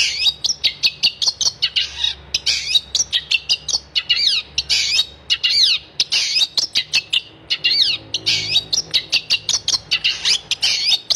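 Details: Long-tailed shrike in full gacor song, a dense unbroken stream of scratchy, chattering high notes with short sweeping whistles, delivered fast and without pause over eleven seconds.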